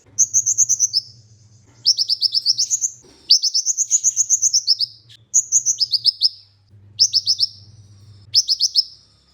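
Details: Olive-backed sunbird singing as a training master for Indonesian songbird keepers: six bursts of high, sharp, rapidly repeated notes, some dropping slightly in pitch, with short pauses between them and a soft low hum beneath.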